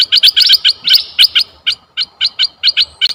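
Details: Red-eyed bulbul call for attracting bulbuls: a fast series of sharp, high chirps, about four per second, slightly irregular in spacing, on a quiet background.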